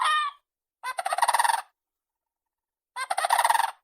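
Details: Crane calling: a short honk, then two rattling, rolled bugles of under a second each, pulsing rapidly, with clear gaps between them.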